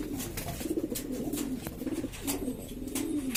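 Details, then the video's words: Domestic pigeons of several breeds in East Lombok, Indonesia, a noisy flock cooing in low, continuous, bubbling tones, with a few sharp clicks and knocks scattered through. "burung merpati ini ribut sendiri"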